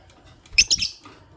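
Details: A white albino Fischer's lovebird with a pastel green mate gives two quick, shrill, scratchy chirps, the second slightly longer, in a quiet room.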